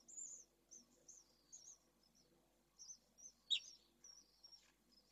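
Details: Three Pallid Swift chicks in nest 1 at Jerez, Spain, filmed by a live nest camera, give thin, very high chirps in short bursts about every half second, with one sharp click midway over a faint low hum.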